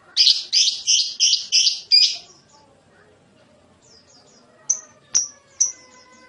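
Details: Lovebird, its sound played to make other lovebirds answer and chatter at length; five harsh, buzzy chirps in quick succession, then after a quiet gap three thin, high whistled notes.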